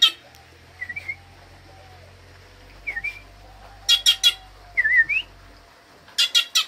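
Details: Wild bird coming near a person who offers food; wavering whistled phrases that dip then rise, answered by quick bursts of four harsh, chattering notes, over a low steady hum.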